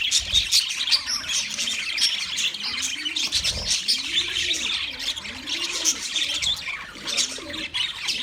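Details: Wild budgerigars chirping as a flock: dense, continuous high twittering and chattering throughout, with soft low cooing phrases rising and falling underneath, like a dove calling nearby.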